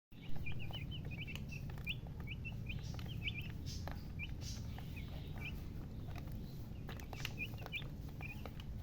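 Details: Chicken chicks chirping: short high peeps in quick bursts, clustered early and late, over steady low rumbling background noise and scattered clicks.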